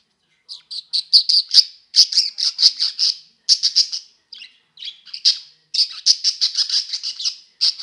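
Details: Budgerigars at play keep up lively, near-continuous high chirping chatter in rapid runs of bright notes, with a few short breaks between bursts.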